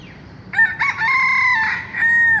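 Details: Rooster crowing, a bird said to crow not only at dawn but throughout the day and even at night: one loud, harmonic cock-a-doodle-doo beginning abruptly, broken at first, then held level for nearly two seconds over a quiet background.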